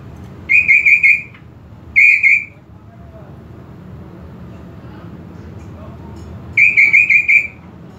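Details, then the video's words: Greater green leafbird song for provoking aggression: three separate bursts of fast, level whistled trills, each under a second, spaced by quiet gaps with low background noise. "PANCINGAN EMOSI UNTUK CUCAK IJO KURANG EMOSI"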